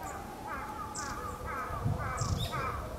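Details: Brown-eared bulbul, noisy as usual while bathing beside Japanese white-eyes at a bird forest, 2 February 2017, gives loud, harsh, squealing calls, about four in three seconds, over splashing water, low rumble and nearby great tits.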